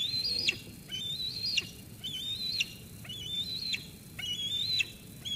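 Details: Eaglet at Sauces Canyon on 13 June 2021, calling at its mother after she brings food, until she goes. Five drawn-out, piercing whistles, each level or slightly rising, then snapping downward, about one per second.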